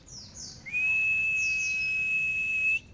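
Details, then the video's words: White-eye training song, nembak style: a few soft high downslurred chirps, then a loud, steady, pure whistle held for about two seconds before it cuts off. "masteran pleci nembak cerrrrr wit wiiit"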